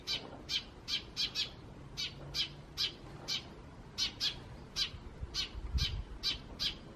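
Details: Wild Eurasian tree sparrows in May 2017, mostly sparrows with a little starling. Clear, piercing chirps are repeated rapidly, sometimes doubled, at roughly half-second spacing against mild background noise.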